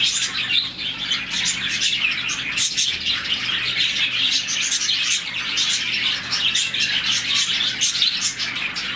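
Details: Around 40 budgerigars in a colony give happy morning chirps: a busy, unbroken blend of sharp high tweets and chattering warbles from numerous birds, steady in loudness throughout.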